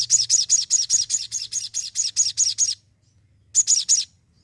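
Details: Energetic crimson sunbird delivering a fast series of about twelve high, sharp chipping notes at an even pace, a brief pause, then three more identical notes.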